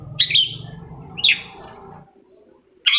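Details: Long-tailed Shrike (cendet), sound used as a lure to make another shrike sing: three sharp, high chipping notes at the start, middle and end, over a faint low hum.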